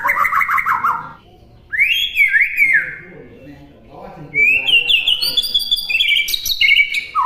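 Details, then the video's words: White-rumped shama song recorded for other birds to imitate: a quavering whistle, then rising and falling whistled phrases. A quieter low-pitched stretch follows before long high whistles and fluty notes. "MASTERAN MURAI BATU MUDAH DI TIRU"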